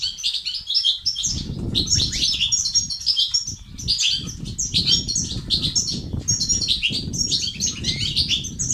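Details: European goldfinch song of the batbata and sastasat style for stimulating males: nonstop fast twitters, chirps and buzzy trills in dense phrases, with a strong low rumble running beneath.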